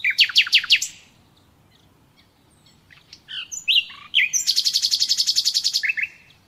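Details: Nightingale singing a burst of five rapid descending notes, then a pause, a string of varied slurred whistles, and a long, fast trill of about twenty buzzing pulses ending in lower notes. A faint background rumble runs throughout.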